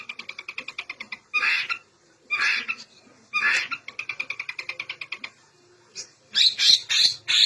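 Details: Long-tailed shrike singing varied fill-in phrases meant to prompt silent birds: rapid ticking pulse series alternate with loud raspy squawks, ending in a run of sharp high harsh notes.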